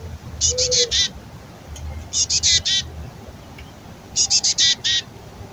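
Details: Raspy, fledgling-like begging from a female black-capped chickadee before nesting season, as the male brings her food: three clusters of four or five harsh buzzy notes, about two seconds apart, over low background hum.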